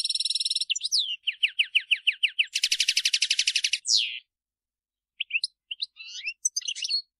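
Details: European goldfinch singing in the field: a buzzy trill, a series of bright repeated slurred notes, a dense rattling trill with a falling slur, then a pause and scattered tinkling twitters.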